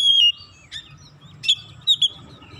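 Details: Oriental magpie-robin song used to goad other magpie-robins into singing: a sharp whistled note at the start, then a few brief clear chips and short whistles spaced through a quiet stretch with a low background rumble.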